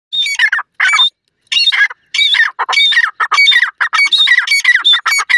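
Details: White pheasants giving loud, harsh squawking calls in rapid bursts, several notes overlapping with ringing upper tones, short pauses between the bursts.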